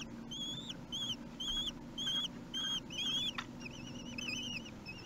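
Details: Three-week-old common kestrel chicks being fed at Théding, 8 June 2021, repeat drawn-out, slightly trilled high whines about once a second, then shift into continuous wavy whistling, over a low hum.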